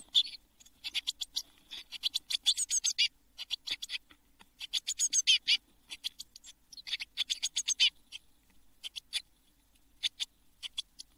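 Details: Seven Eurasian blue tit chicks calling from their nest box ahead of fledging at Midsummer, 24 June 2022: bursts of excited, high, buzzy chirps in long runs, then sparser single notes.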